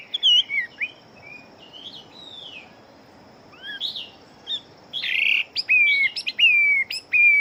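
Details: Chinese hwamei fighting bird singing fast. Faint, scattered warbles are followed by a burst of sharp, loud whistles that drop steeply in pitch and repeat in quick succession.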